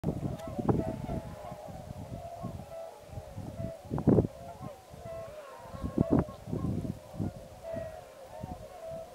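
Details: Tundra swans (Cygnus columbianus), a large flock during waterfowl migration at Pocosin Lakes National Wildlife Refuge, Pungo Unit, keep up a steady chorus of mellow, hooting whoops, with heavy low wind rumble and possibly distant voices.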